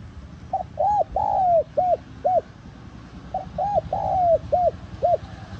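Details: Spotted dove calling to attract wild doves: two cooing phrases of five notes each, roughly three seconds apart, the long middle coo sliding down, with steady low rumble behind.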